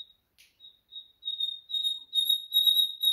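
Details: Common nightingale in Afghanistan giving a sustained high whistled note, first in short soft pulses, then growing louder and steadier into a rapid pulsing crescendo over three seconds.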